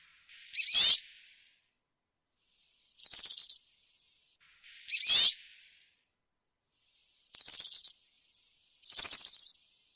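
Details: European serin in cante campero style, field song used for tutoring juveniles: five separate short, high, buzzy bursts, each under a second, spaced one to two seconds apart.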